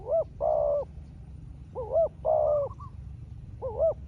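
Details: Spotted dove answering a rival wild dove with a small voice, the two calling in turns: deep, smooth cooing notes, some short and bent, others drawn-out and level, in irregular groups over low background rumble.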